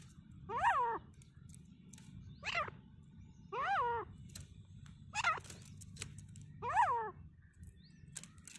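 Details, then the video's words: Grey francolin in forest giving fighting calls: five harsh, nasal, arched calls about every one and a half seconds, over a steady low rumble. "Kamuju fighting " Teetar ka awaaz"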